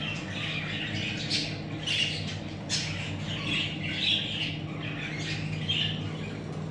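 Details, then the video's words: Baby budgerigars give hoarse, scratchy squawks in loose bursts every second or so, the calls rising and fading, over a constant low humming background. "Muhabbet Kuşları Bebeklerimiz"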